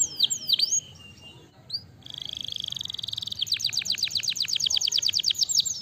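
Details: Canary song played to stimulate lazy canaries into singing: sweeping whistled notes, then a sustained steady trill, breaking into a fast series of sharp descending chips repeated several times a second.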